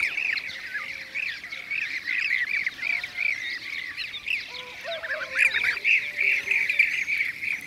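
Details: Blue-cheeked bee-eaters, Şanlıurfa, Turkey, 2016: a busy mix of rolling, purring calls from several birds, irregularly repeated several times a second, with a few lower, softer notes in between.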